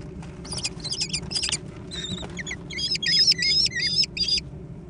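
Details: Food fight among American kestrel nestlings: scratchy, broken squeals at first, then a louder series of thin, wavering screeches in quick rhythm, over a faint low hum.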